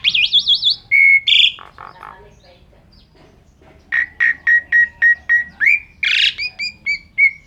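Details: Indonesian Asian pied starling song in the gacor full isian style: a wavering warbled trill, harsh squeaky notes, a quiet gap, then a fast series of clipped whistled notes ending in buzzy, rasping chirps.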